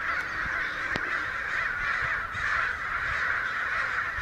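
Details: Santa Rosa street, May 29: a huge gathering of agitated American crows, mostly out of sight, producing a constant din of harsh overlapping caws, with a couple of sharp knocks near the start.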